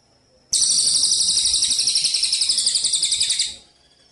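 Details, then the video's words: Javan munia singing on a clear training recording for songbird contests: a high, sizzling trill of rapid, even pulses, about four each second, held for three seconds over quiet background. "masteran komplit untuk burung lomba gereja_cililin _kapsa tembak suara asli dan jernih# berjeda"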